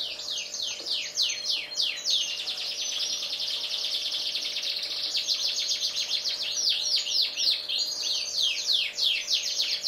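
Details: Domestic canaries, a black-red and a yellow bird, singing continuously: dense high-pitched rolling trills mixed with rapid repeated downward-sweeping notes, unbroken for the whole ten seconds over a faint steady background hum.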